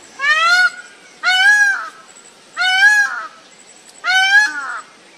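A peacock gives four loud, nasal, wailing calls, each rising slightly then dropping, spaced a little over a second apart.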